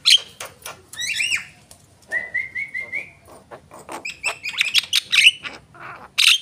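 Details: Javan myna with harsh chatter and a pair of upslurred whistles, then a row of five short level whistles, followed by scratchy clicking notes and squawks.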